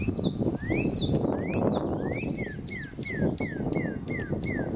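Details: At sunset on April 20, 2020, a northern cardinal sings: first several slurred upward whistles, then a quick series of shorter down-slurred whistled notes repeated about three per second, over a low rumbling background.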